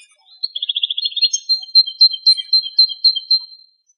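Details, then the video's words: Free-living male European goldfinch in Greece, recorded in strong wind, opens with a quick run of rapidly repeated trilled notes, then a steady, high, slightly warbling tone broken by short liquid chirps about four times a second. "Καρδερίνα Κελαηδάει στη Φύση - European goldfinch bird Singing"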